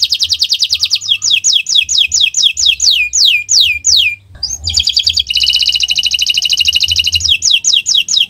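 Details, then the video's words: Owor-owor canary song, a gacor tutoring recording to make birds sing: a fast trill, a string of steeply descending whistles, a short pause, then another dense buzzy trill and falling notes. "Gacor Owor-owor uhuii"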